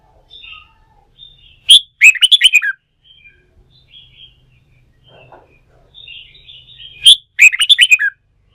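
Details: Newly caught wild red-whiskered bulbul, stimulated to sing for competition training. Soft warbled notes lead to two loud, rapid phrases of sharp chirps with swooping pitch, about five seconds apart.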